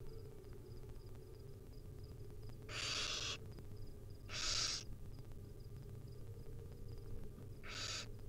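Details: Wild barn owl nestlings begging while their mother feeds them tiny bits: three harsh, hissing screeches, each about half a second long, spaced irregularly over a low steady hum, with a faint high ticking in the background.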